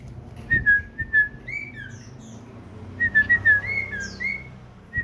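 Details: Pet common iora singing energetically in a house: clear, sweet whistled notes in short quick runs, some slurred upward or downward, with a pause between two phrases.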